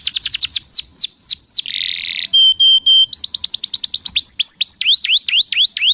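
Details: Canary song for prompting other canaries: descending whistled sweeps, a harsh buzzy burst, pure steady tones, then a fast trill and rising-falling looping notes, all high and varied.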